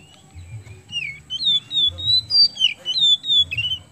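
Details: Oriental magpie-robin in full song, played to stimulate other birds into singing: a run of sweet whistled notes, some rising and some dropping, delivered rapidly for about three seconds, with a soft low rumble beneath.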